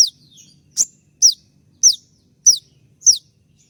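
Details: 'Tembakan' shooting song from a molting konin, used for training birds: a steady series of sharp, high, falling notes about every half second, one louder burst at the start, low hum underneath.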